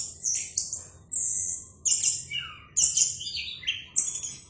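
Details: Orange-headed thrush singing separate phrases roughly once a second: bright high whistles followed by descending slurred notes, over a soft steady hiss.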